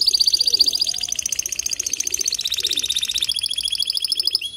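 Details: Caged male canary singing to stimulate a female to nest-build: a continuous fast rolled trill, layered high and bright, with a soft low murmur underneath.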